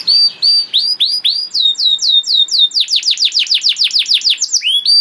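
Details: Canary singing as a master for young canaries, with slow separate high whistles that speed into a rapid series of loud falling notes, about four per second.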